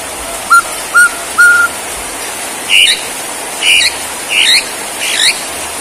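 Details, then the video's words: Borneo white-rumped shama in its bowing "sujud" posture gives three short pure whistles, a pause, then four louder, harsher looping notes spaced about a second apart. "Aksi Murai BORNEO gaya SUJUD"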